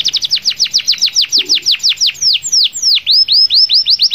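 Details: A canary sings long rolls meant to call out rivals: a fast series of sharp downward-sweeping whistled notes, about five a second, loud and clean, briefly slowing midway before quickening again.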